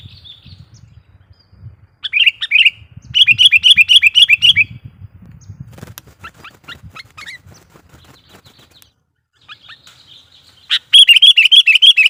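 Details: Sooty-headed bulbul, a lure bird in loud full song used to provoke and call wild bulbuls; bursts of rapid, repeated chattering notes in quick trills, with short gaps and a low rumbling background.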